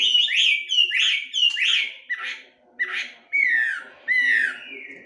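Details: Chinese hwamei (melodious laughingthrush) song played to train birds into lively singing: loud whistled notes, first in rapid doubled phrases, then slower, longer slurs dropping in pitch, each separated by brief gaps.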